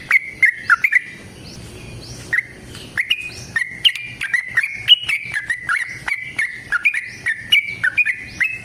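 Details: Sooty-headed bulbul, a long fighting song used to make other bulbuls sing: a run of short whistled notes near one pitch, each dipping down then jumping back, repeated about twice a second after a brief gap.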